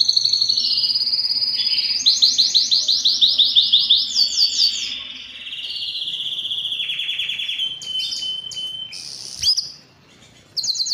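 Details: Canary song from a Belgian canary: trilled phrases, a series of loud repeated sweeping notes, a lower buzzy roll, scattered sharp clicks, a pause, then a new high note.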